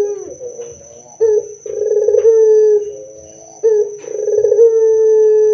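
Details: Barbary dove singing loud and often, a song used to lure other doves into singing. Soft coos break into two phrases, each a quick rolling flourish stretching into a long, steady hooted note.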